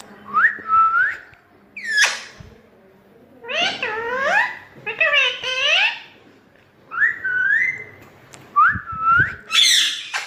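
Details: Pet parrot chattering without pause in a small room, alternating whistled notes with speech-like harmonic phrases and a couple of harsh high screeches.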